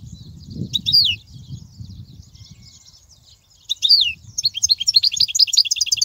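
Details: European goldfinch singing, offered for teaching young goldfinch chicks: an isolated sweeping chirp, a stretch of quiet twitter, then a lively burst of rapid high notes and bright trills building toward the end over a low background hum.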